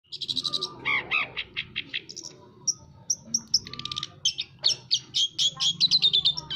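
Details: Long-tailed shrike singing very actively: rapid buzzy rattles and harsh chattering notes give way to sharp high whistled chips and scratchy phrases, repeated quickly with a varied, busy rhythm.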